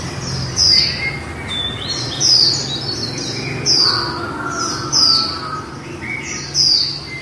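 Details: Líu-style singing from a female white-eye (khuyên mái): sharp, high descending whistled notes repeated roughly every one and a half seconds, with faint softer twitters between them and a constant low hum behind.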